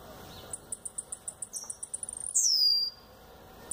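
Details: Captive double-collared seedeater, known locally as tiziu, of the chacal song style, singing while looking at the camera: a fast series of about fourteen high, evenly spaced ticking notes that speeds up into a long, loud, descending whistled slur.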